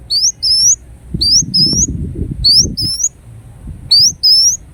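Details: Ruby-cheeked sunbird (kolibri wulung) giving paired high whistles, a short upslur followed by a longer rising note, repeated in groups, over low rustling or wing-flutter noise.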